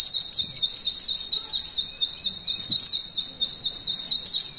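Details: Mountain white-eye singing training material for canaries in the 'nembak kenari ngalun' style, meant for contest use: a steady run of high, buzzy rising sweeps, roughly two per second, repeated without pause.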